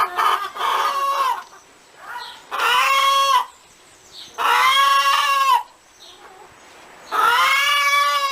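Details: Hen cackling with long, loud, nasal harmonic notes about a second each, repeated every two seconds or so, separated by softer quick clucks.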